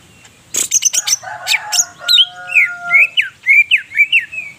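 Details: Greater green leafbird singing actively, kept in Purwokerto, Banyumas, Indonesia: a noisy rustle and scattered chirps open, then a steady run of clear, down-slurred whistled notes repeated about twice a second.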